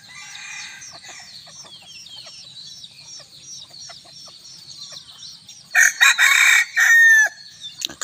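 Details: Bantam rooster on a hot evening, with soft chirping for several seconds, then a strong crow in three loud ringing bursts ending in a falling note.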